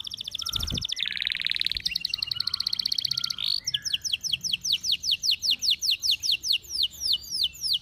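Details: Canary in heightened breeding condition (over birahi) sings a fast rattling trill, then a ringing high tone, then a series of sharp downslurred whistled notes repeated about three times a second, with a brief low knock early on.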